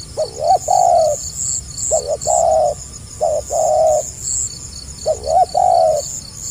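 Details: Spotted dove with stuttering tight coo phrases, the 'gagap rapat' style: a wavering double note leading into a long even coo, four phrases in quick succession, light high twittering in the background.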